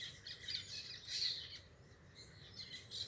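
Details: Short, lively parakeet chatter of raspy, high chirps in quick uneven bursts, peaking just past one second. A soft low hum runs underneath.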